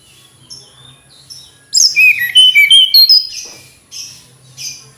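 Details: Tledekan gunung flycatcher singing a loud phrase of pulsed whistled notes rising in steps, framed by softer chirps before and after, over a faint low hum.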